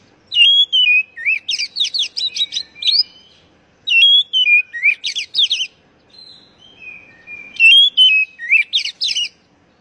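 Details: Oriental magpie-robin singing, a recording meant to coax captive birds into song. Three separate phrases, each a sweet whistled slur followed by quick buzzy, chattering notes, separated by short pauses.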